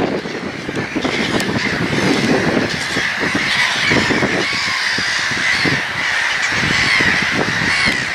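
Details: Many gulls cry at once in a loud, constant din. Quick overlapping harsh notes come several times a second, with a few sharper, clearer cries rising above the mass of calls.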